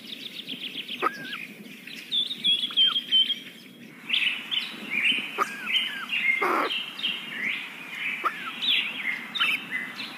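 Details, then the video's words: Kingfisher parent feeding very young chicks in the nest: rapid high chirps and thin whistles, some with hooked or falling shapes, broken by a few loud clicks and a short rustle. "Kingfisher feeding very young chicks"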